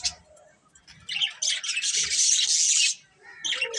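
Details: Colourful budgerigars chirping: dense, scratchy, high-pitched chatter with squawky warbles swells loud for about a second and a half, then drops away and resumes briefly at the end, with a few softer chirps between bursts.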